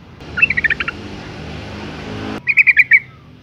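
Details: Yellow-vented bulbul female in breeding condition calls to males with a brief rattling trill, then a burst of hissing noise, followed by a second quick run of five bright, ringing notes.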